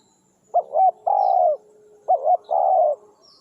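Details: Two calls from a spotted dove employed to coax wild doves down, each a doubled short rising coo then a sustained burry coo, repeated after about a second and a half in calm surroundings.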